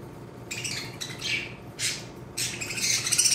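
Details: A male Lutino cockatiel, two months old, kept alone in an isolation cage during quarantine, gives four harsh, raspy, hissing bursts, each about half a second and unevenly spaced, in a quiet room.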